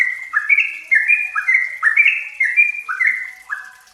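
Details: Trucukan (yellow-vented bulbul) lure song meant to make a kept bird sing readily: rapid chains of short whistled notes stepping up and down, phrases repeating roughly every half second in a dense, bubbling tempo.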